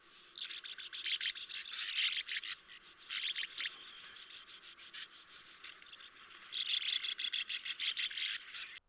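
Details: Sand martins, spring and summer migrants to the UK, constantly communicate with a twittering, continuous song: dry, buzzy twittering in three rapid chattering bursts, several birds calling together.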